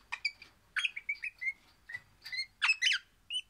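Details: Orange crimson rosella singing happily: a run of clear whistled notes near mid pitch, some sliding downward, mixed with sharper bright chirps and rich overtones, uneven spacing, quiet background.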